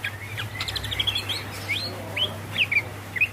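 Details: Female greater green leafbird calling to the male: a busy jumble of quick chirps, upslurred whistles and twittering notes, with a low hum in the background.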